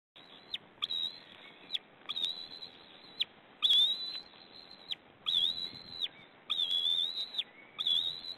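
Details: At a White-tailed eagle nest filmed 2 May 2009, while the adult feeds leftover fish to the chicks, loud piercing whistled notes repeat in drawn-out bursts, roughly every second, each flat and high with a sudden downward tail.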